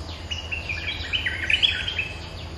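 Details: Streak-eared bulbul holding its territory, responding to lure calls with a dense, bubbling tangle of chirpy, warbled notes that grows louder toward the middle, with low background hum.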